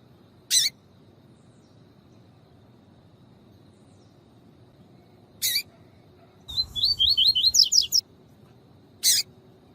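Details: Double-collared seedeater (Sporophila caerulescens) song used to train and warm up captive males: sharp high buzzy notes at intervals, then a quick run of rapid descending whistled slurs, over a quiet low background hum.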